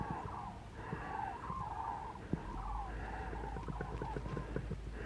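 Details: Migrating flock of common cranes passing north at dusk over the Parque Natural del Sureste, Spain, in late February: far-off rolling bugling notes, many birds calling together, beneath constant wind noise and low rumble.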